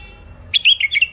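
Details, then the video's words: Hybrid finch (mule), a thick-throated caged bird offered in Baghdad, Iraq, delivers a rapid phrase of bright twittering notes, each slurred downward, over faint background hum. "مخلف وحشي علوازي أول عزله حنجره ثخينه"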